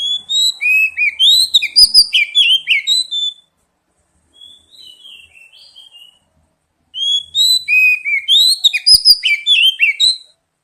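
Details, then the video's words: Oriental magpie-robin song used as a lure and singing therapy for young birds: bursts of clear, rich whistled notes, many rising and falling, in two loud phrases with a softer, quieter warble between them. "Pancingan kacer bahan dan terapi bunyi | cepat bunyi respon"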